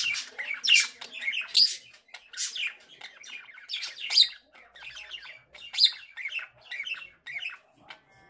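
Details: Male budgerigar song: a lively, unbroken chatter of squeaky chirps, clicks and short whistles, with louder harsh bursts at intervals.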